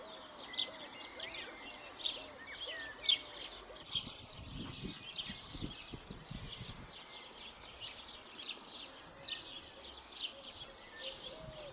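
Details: Long-eared Owl family nesting in an old nest at a garden edge in a village centre: adults give short, low, hooked calls about every two seconds to coax the young out, mixed with the young's high hissing squeaks and other birds' chirps.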